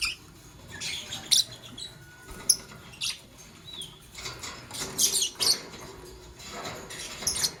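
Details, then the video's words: Morning chirping from lovebirds, a green Fischer's and a pastel blue: quick bursts of shrill, squeaky chirps coming in clusters every second or two, with soft rustling and pattering between them. "Lovebird Chirping Sounds - Sing And Funny - Green Fischer's & Pastel Blue"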